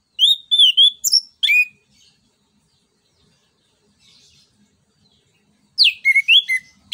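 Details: Orange-headed thrush singing as a lure for other songbirds: two bursts of rich, slurred whistles and sharp chirps, with a long quiet pause between them.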